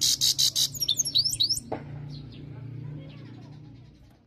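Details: European goldfinch delivering a burst of rasping buzzy notes and sliding twitters, then a sharp click and fading quiet twitters against low room hum.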